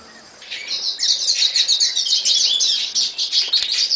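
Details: Many quails chirping together in a dense, continuous high twittering that starts abruptly and carries on without a break.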